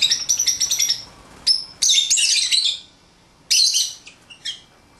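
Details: Pet lovebirds playing outside their cage give loud, harsh, high chattering calls: a rapid stutter of chirps, then dense raspy bursts and shrill squeaks, with short pauses between them.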